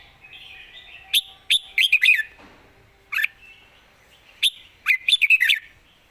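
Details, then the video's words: Red-whiskered bulbul with good song phrasing, praised as a rising star, singing two lively phrases of rapid, bouncing whistled notes with a single sharp note between them. "สำนวนดี ปากเบานกดาวรุ่ง"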